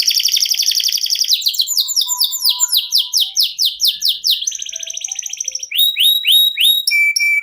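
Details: Canary singing a long, continuous 'ngerol' style song: a buzzy high trill, then rapid series of descending whistled sweeps, a dense rattling trill, and clear repeated notes with a short pure whistle at the end.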